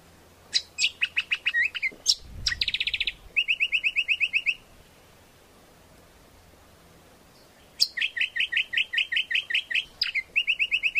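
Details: Greater green leafbird singing, a recording meant to lure birds and train them as a master song: quick repeated whistled notes and brief trills in bursts, separated by a few seconds of quiet.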